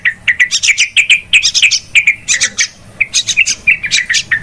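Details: Yellow-vented bulbul giving noisy lure calls for bird trapping, a stream of short bubbling, chattering notes roughly four or five per second, with low background hum.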